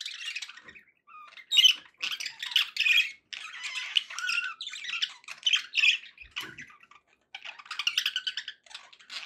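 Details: Contented pet budgies giving rapid scratchy squawks and warbled chirps in dense bursts, a short quiet gap and a faint low thump before the chatter resumes.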